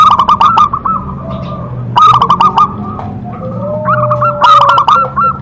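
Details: Local-strain zebra dove, described as singing actively with a big, potent voice, giving short loud bursts of clipped cooing notes interspersed with softer, quicker cooing phrases and a faint steady tone.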